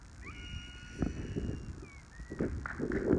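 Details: Crested serpent eagle on Iriomote Island in February, a protected special natural monument, calling around its flight: a drawn-out, high, steady whistle with a short rising start, then brief downslurred notes, over heavy low rumbling wind and handling noise.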